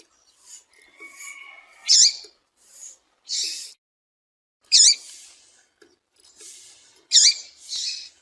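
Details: Calls of a female double-collared seedeater meant to fire up males so they sing: sharp high squeaks and chirps in scattered bursts, some paired, with faint lower whistling notes early on.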